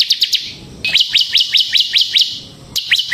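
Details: Bar-winged prinia (ciblek semi) in full ngebren song, meant to lure ciblek kristal and train other birds: a brief high triplet, then a steady series of rapid, sharply downslurred chirps about five per second.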